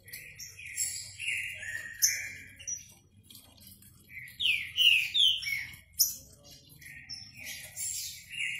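Green-winged saltator giving rich, slurred whistled phrases, some rising and falling, repeated every second or so, with faint chirps in the background.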